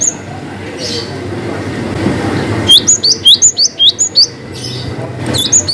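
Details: Cinereous tit, in a variation of the long-whistle gacor style, delivering a rapid run of about ten sharp upslurred whistles, high and bright, at about three per second, over a low steady background hum.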